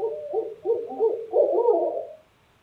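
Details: Night calling of wild owls in New Hampshire: rhythmic deep hoots in short groups, building into a drawn-out, quavering hooting phrase that trails off, with no other clear sounds.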